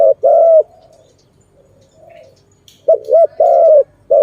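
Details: Trapping-site recording of a Zebra dove, called Malay dove: a loud coo phrase, then a lull with only a soft, low coo, before another burst of short notes and a long coo resumes.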